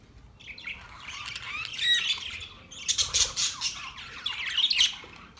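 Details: Several budgerigars squawking and chirping together, harsh rasping notes mixed with thin whistled tweets, building into a dense, noisy chatter with louder clusters near the middle and end.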